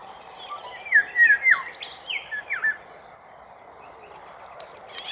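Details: An exhausted Eurasian golden oriole sheltering on a sailboat bound for Île d'Yeu gives song and call (male and female) as a quick burst of fluty, liquid whistles, five or six slurred notes in under two seconds, over faint hiss.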